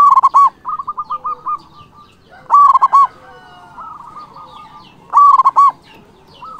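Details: Local Indonesian zebra dove singing loudly and often to provoke rivals: three bursts of rapid, throbbing coo notes, one roughly every two and a half seconds, each followed by softer stuttering trills, with other birds faint behind.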